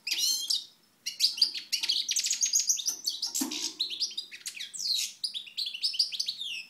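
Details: European goldfinch from Moknine, Tunisia, 2012, in sunshine: long lively song of rapid chirps, trills and slurred whistles after a short pause, with a faint low thump partway.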